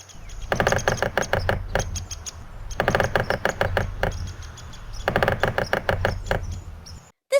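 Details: A woodpecker pecking trees to find insects taps in three quick, rattling bursts, each lasting just over a second and coming about every two seconds, over a low background hum.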